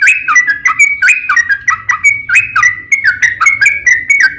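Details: Sooty-headed bulbul singing gacor in a long ropel, recorded as a lure to draw other bulbuls into song. Clear whistled phrases with short rising and falling notes, roughly twice per second, over a faint low hum.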